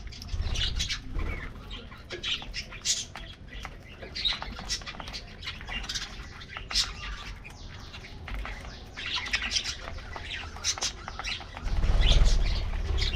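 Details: Budgie colony in an aviary at morning treat time, continuous chatter of quick high chirps and clicks from numerous birds, with a low rumble swelling near the end.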